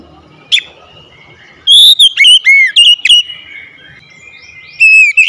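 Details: Oriental magpie-robin kept at home, sung to coax a silent bird into full song: a faint whistle near the start, then a loud burst of clear whistled notes with sharp upward and downward slurs and a short final phrase.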